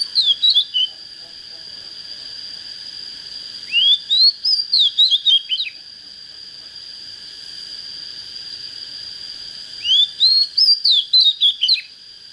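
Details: Young Oriental magpie-robin coming into breeding condition, with a good standard voice, giving two short bursts of rising whistled sweeps followed by quick descending notes, separated by about five seconds of quiet except for a steady high background tone.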